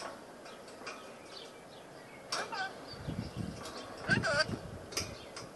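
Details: A pet rainbow lorikeet clowning around gives short, harsh squawks and chattering bursts, a few bending up and down in pitch, over a low background of rustling and what may be voices.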